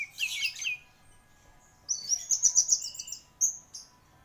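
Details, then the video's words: Orange-headed thrush, a champion Indonesian "anis merah" singer, delivers a rich burst of high chattering notes, a pause, then a rapid run of bright repeated whistled syllables ending in a single sharp note. "Burung Anis Merah Gacor Juara"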